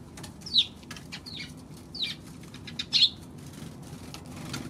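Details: Eurasian tree sparrow on 16 March uttering four or five loud, sharp chirps, the last two in quick succession, over a faint low hum.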